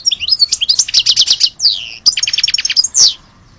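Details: Dense goldfinch song from Algeria: rolling liquid twitters and rapid rattled trills, broken by short buzzy slurs, nearly without pause.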